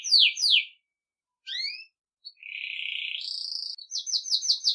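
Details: Belgian canary song meant for training young birds: downward-swept whistled notes, a pause, two rising slurs, then a sustained buzzy trill shifting up in pitch and ending in fast repeated metallic pulses.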